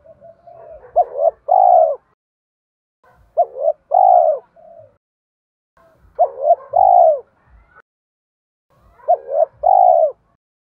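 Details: Spotted dove used as a lure, its thổ-style song meant to set wild doves calling: four deep coo phrases, each a brief stuttered double note leading into a sustained rounded note, with faint dull taps.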